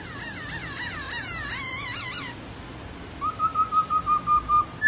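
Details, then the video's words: Laughingthrush song: wavering, looping whistled phrases that rise and fall, then a pause, followed by a run of short, clear, even-pitched whistled notes repeated about twice a second. "HÓT NHƯ KHƯỚU"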